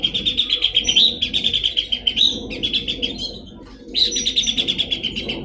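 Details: Horsfield's babbler, locally pelanduk semak, giving continuous rapid buzzy pulsed phrases with small upward flicks, briefly stopping, then starting again strongly.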